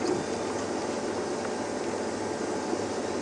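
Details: A constant engine-like rumble and hiss of a moving vehicle runs throughout, with no distinct calls.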